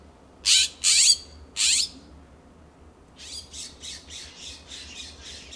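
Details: Backyard exchange between California scrub-jays in Pacific Grove, California. Three loud, raspy, scratchy calls come in quick succession, followed by a faster run of about eight softer, quieter calls from another jay.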